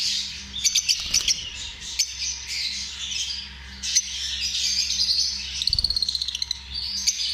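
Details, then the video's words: Lovebirds in a group giving a dense, high-pitched chatter of squawks and chirps, with rapid clicking bursts and a steady low hum beneath. "Amazing sound of love birds"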